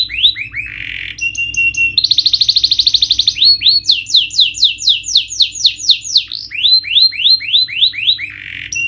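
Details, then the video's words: Canary song played to push a lazy, stressed bird to sing: varied phrases of swooping notes, a fast buzzy trill, then long runs of repeated down-slurred whistles, continuous and loud. "Pancingan Kenari Naikin Emosi dan atasi Burung males bunyi,Stres,& Mental Down"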